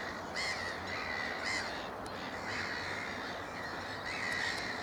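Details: Juvenile Black-headed gulls at Moors Pool wetland, Upton Warren, Worcestershire, England, in mid-June 2019. Harsh, screechy calls come in short bursts over a constant noisy din of many birds.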